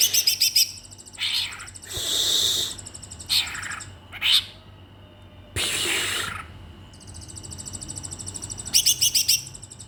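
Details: Caged Oriental magpie-robin left with only feed while its keepers travelled home for the holiday, singing wildly: rapid high chirp trills at the start and end, broken by harsh scratchy bursts and short rising notes.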